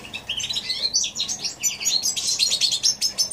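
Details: Goldfinch x canary hybrid singing in January 2016: a rapid, continuous stream of high, bright twitters and trills with fast rising and falling notes, no pauses.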